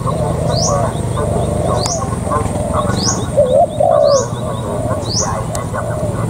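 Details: Spotted dove kept as a decoy bird, giving a single clear two-part coo midway: a brief rising note followed by a drawn-out falling coo, over constant low background hum, fainter coos and thin high chirps.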